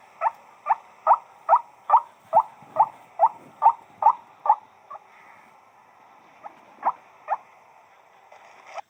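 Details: Eleven clipped, honking 'wak' notes from a white-breasted waterhen at a brisk steady pace, then a quieter gap with a few scattered, fainter notes.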